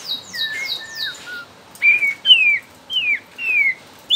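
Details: Young forest-caught white-rumped shama, Borneo, gives soft descending buzzy notes, then loud clear whistles that slide down, spaced about half a second apart.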